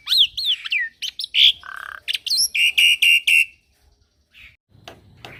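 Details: Young Javan pied starling singing a busy, varied phrase: swooping whistles, a harsh rasping note, then about five loud, evenly repeated chipping notes, followed by quieter scattered sounds.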